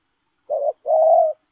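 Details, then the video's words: Spotted dove cooing while running, lèo rồng style: one pair made of a brief hollow hoot and a longer, louder sustained coo, clean and with no background sounds. "Gù Lèo rồng vừa chạy vừa gù"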